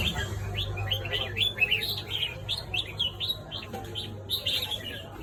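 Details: Red-whiskered bulbul singing in the morning: rapid run of short, bright, warbled chirps and slurred whistles, about four notes a second, over a steady low hum and background noise.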